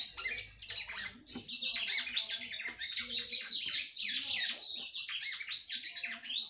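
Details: Singing female red-cowled cardinal from a breeder's bird, performing to excite her male: continuous rapid warbling of high twittering notes, sweeping up and down in quick bursts, with barely a break across the whole stretch.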